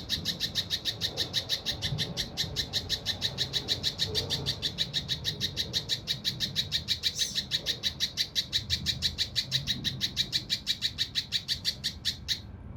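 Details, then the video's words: Mountain leaf warbler, known locally as cucak rante mas, singing a harsh, dense 'tembakan' style meant for training competition birds: high, buzzy notes repeated about three times a second in a steady run, with low background rumble. "TEMBAKAN KASAR RAPAT UNIK | SUARA CUCAK RANTE MAS UNTUK MASTERAN BURUNG LOMBA"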